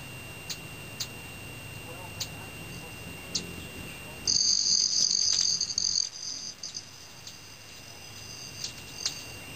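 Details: Male Broad-tailed Hummingbirds feeding at evening snack-time before bed in Teller County, Colorado; one strong, buzzy, metallic ringing wing trill lasts about two seconds mid-clip, with faint ticks before and after.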